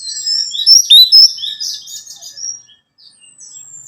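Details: Song of an orange-headed thrush used to coax a captive bird into singing; high thin whistles and chattering notes in a rapid burst, then fading into a faint drawn-out whistle.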